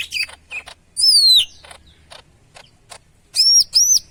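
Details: Lively Medan greater green leafbird: a loud, long, high whistle sliding downward, short chips, then two ringing upslurred whistles near the end, with scattered dry clicks.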